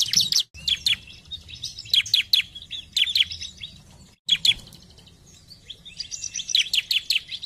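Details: Bar-winged prinia song used to stimulate other prinias to sing: bursts of high, sharp, chirping notes in quick clusters, repeated about every second, with brief pauses between phrases.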